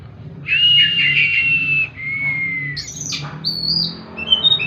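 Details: Kacer, or oriental magpie-robin, in 'tembakan' song used for therapy: a loud sustained buzzy whistle, a lower falling whistle, then a high sharp note and thin sliding whistles.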